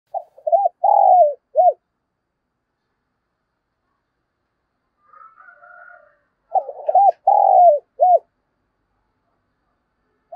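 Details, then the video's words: Caged decoy spotted dove calling in the morning, thúc and chiêu call styles: two cooing phrases of short hollow notes around one longer swelling coo, about five seconds apart, with a faint buzzy sound between them. "Chim Cu Mồi Gáy Gọi Buổi Sáng/ tiếng cu áy Thúc và chiêu"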